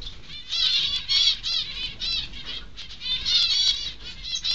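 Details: Close-up zebra finch nestlings, one preening, produce clustered bursts of high, buzzy, harmonic calls, loudest in two rounds about two seconds apart, with quieter raspy notes between and faint rustling.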